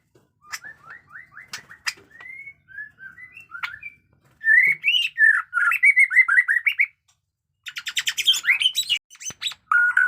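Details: Fighting-style white-rumped shama in fresh new plumage delivering batuk koral and muntah beling song: thin rising whistles and short slurred notes, then loud bursts of rapid, varied warbling phrases separated by brief pauses.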